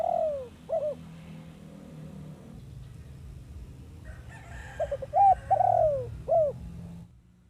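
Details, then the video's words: Zebra dove song played to lure wild birds for trapping; a falling coo opens, then a full phrase of quick clipped notes building to a drawn-out descending coo and a short closing note. "MP3 tekukur pikat"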